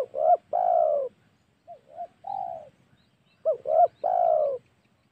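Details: Spotted dove lure recording for provoking and hunting wild doves: repeated three-note coo phrases, each with two short hoots and a long slurred coo. A fainter phrase sits between two louder ones.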